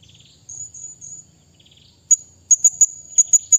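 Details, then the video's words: Blue-crowned hanging parrot calling out to a rival with a run of piercing, very high, clipped notes repeated about twice a second, after a soft high tone and a faint low hum. "burung serindit bunyi memanggil lawan"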